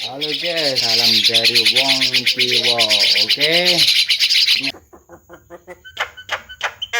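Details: Javan myna training song for talking birds, very vocal: a run of arched, nasal notes repeated quickly under a continuous high buzzy rattle, then a quieter stretch of sharp clicks and short chips.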